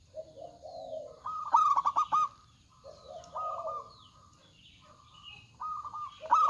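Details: Local zebra doves in active song. A bright, rapid stuttering coo phrase rises out of softer low cooing, with further mellow drawn-out coos after it and the start of another loud phrase at the close.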